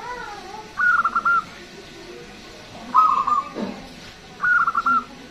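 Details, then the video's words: Local zebra dove, a loud, long-voiced bird whose call is used as a lure for other birds: three stuttering cooing phrases of several clipped, hollow notes each, repeated about every two seconds against a quiet background. "PERKUTUT LOKAL GACOR SUARA BESAR DAN PANJANG."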